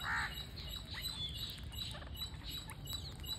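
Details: Parakeet at feeding time: one loud, nasal, buzzy squawk at the start, followed by scattered soft twittering chirps over a low constant hum.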